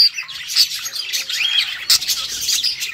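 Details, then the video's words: Happy budgies chattering in song, a dense, continuous high-pitched warble of scratchy squeaks and thin whistles, with brief louder chirps scattered through. "Budgies sounds | Budgies singing | Budgies bird happy sounds"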